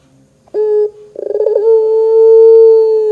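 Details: Barbary dove (puter pelung) coo used as a lure to make other doves answer: a short clear note, a pause, then a fast stuttering chuckle that runs into a long, level, low, sustained coo.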